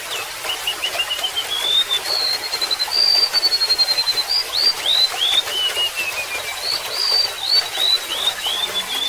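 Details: Golden-bellied gerygone singing over trickling water: thin, high whistled notes that climb, then a sweet falling series of slurred whistles, with a second phrase near the end; steady water hiss throughout.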